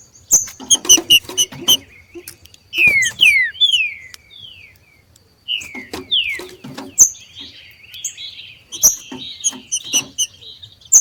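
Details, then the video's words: Two wild green-winged saltator males singing against each other: bursts of rapid high chips alternate with rich, downward-slurred whistles, then a pause before more slurred phrases and chipping. "DOIS trinca ferro MACHEANDO na NATUREZA e canto de trinca ferro para ESQUENTAR"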